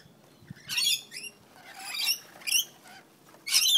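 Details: Rainbow lorikeets fighting in a back yard on the Central Coast, NSW, screeching in harsh, scratchy bursts, four or five rasping outbursts in under four seconds.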